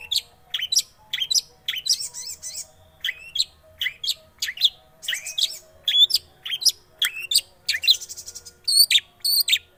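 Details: Lure song of a long-tailed shrike meant to start a quiet shrike singing: a fast, varied run of sharp rising and falling chirps and whistled slurs, closely spaced and continuous, with some rattled notes.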